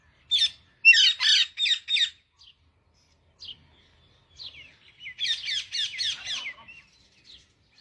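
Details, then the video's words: Parrot singing with quick bursts of repeated scratchy notes at start and end, separated by soft scattered chirps. "parrot singing"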